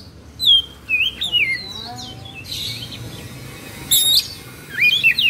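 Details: Excited Oriental magpie-robin in Indonesia, plumage fluffed and tail fanned, sings clear wavering whistles and looping slurs, with a softer stretch of low chatter in the middle.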